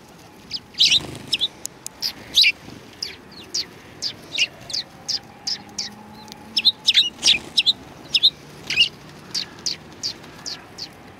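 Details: Several sparrows coming for food at a Tenmangu shrine, 7 February 2020. Continuous chattering of short, high chirps, roughly two each second, with a few louder overlapping calls and a faint low hum beneath.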